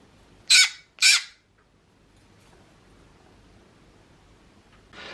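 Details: Green-cheeked conure, pet bird, giving anxious calls that mean it is looking for its owner and feels scared and nervous; two loud, harsh, high squawks half a second apart, then quiet, with a third starting at the end.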